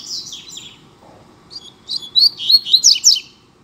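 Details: Double-collared seedeater (coleiro) in a singing duel: quick, high, scratchy twittering notes in two bursts, the second louder and more rapid, over a faint low hum.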